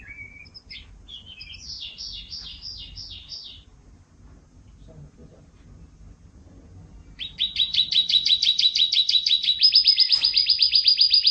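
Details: Canary with long, tight rolling song from 2014: an opening rattled trill, a quieter pause with faint room noise, then a loud, fast, even roll of repeated whistled notes shifting to a higher, steadier trill.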